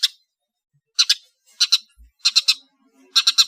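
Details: Long-tailed shrike from Madura giving short, harsh clicking notes in tight clusters of two or three, separated by brief silences.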